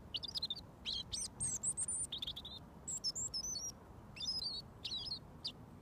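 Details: Robin singing at close range to the person who feeds it, continuing until mealworms are offered; crisp, high, warbled phrases of twisting notes repeated in rapid bursts throughout.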